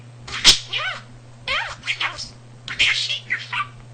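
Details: Talking pet male budgerigar with a vocabulary of almost 300 words, learned by listening around the house, that also imitated a cat's purring: squeaky, chattering, speech-like phrases in three quick bursts over a steady low electrical hum.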